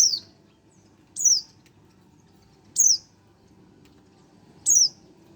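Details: Four high, downslurred chirps from a one-month-old Oriental white-eye, spaced one to two seconds apart, each short and whistled over a faint low hum.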